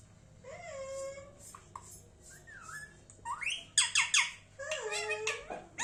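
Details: Indian ringneck parrot giving a varied run of sounds: clear whistled notes that rise and fall, a wavering mid-pitched whistle, then a burst of loud, harsh, high squawks in quick succession, ending with a sliding whistle.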